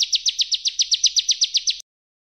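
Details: A Bar-winged prinia (Perenjak Jawa) gives a brief burst of its continuous tembakan training song: about fourteen quick, high, slurred chips in a fast even rhythm, then an abrupt stop into silence.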